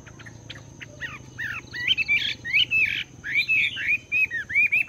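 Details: Caged Chinese hwamei after two months in captivity, morning voice training: short clicks give way to loud, varied whistled phrases that swoop up and down, each about half a second, over a low background hum.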